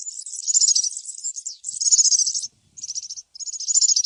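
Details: A wild European serin sings a very high, fast, jingling trill, delivered in rapid, buzzy bursts with brief pauses between them.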